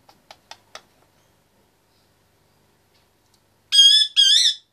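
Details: Male Indian ringneck parakeet aged 25 months, caged indoors: a few faint clicks, a long silence, then two loud, high, wavering whistled notes close together.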